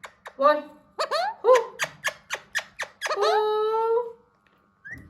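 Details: Hand-tame Alexandrine parakeet trying to talk, producing quick clipped squeaky syllables and sharp clicks in a rapid run, ending in a long flat nasal tone, indoors.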